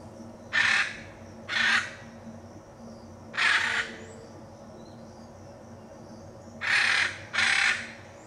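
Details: Hyacinth macaw in the Pantanal, Brazil: five loud, harsh, raspy squawks spaced irregularly over several seconds, in two pairs and one single call, over a low steady background hum.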